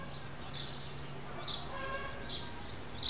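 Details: Common waxbill, locally called biquinho, giving short high chirps around 4–5k repeated roughly every second, over a steady low hum and background noise.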